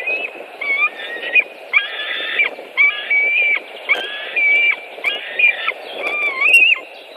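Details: At a Latvian white-tailed eagle nest, 23 May 2018, fish brought and a long feeding follows: repeated high squealing, slightly wavering call bursts roughly every second, over a constant rushing background noise.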